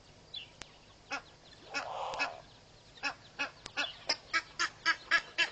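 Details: An Egyptian goose of a pair guarding goslings at Pete's Pond, Mashatu Game Reserve, Botswana, 14 January 2013, gives harsh honks, spaced then speeding into rapid loud nasal blasts; a brief broad rushing sound midway; a grey heron may grumble.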